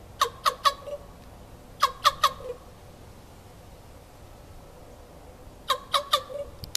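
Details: Common raven calling oddly at Raven Bay Beach Wildlife Sanctuary, Green Bay, Wisconsin, on 7 November 2015, in three groups of three rapid, rough, knocking notes, the groups separated by about two to three seconds of quiet.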